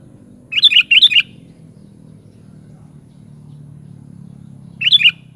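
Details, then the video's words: Sooty-headed bulbul (kutilang) singing two quick bubbly, warbled phrases back to back, then a third similar phrase about four seconds later, over a steady low hum. "SUARA BURUNG KUTILANG"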